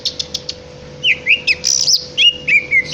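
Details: Song of a greater green leafbird: a few quick ticks, then loud slurred whistles, rising and falling sweeps and a buzzy burst, delivered briskly over a faint constant hum.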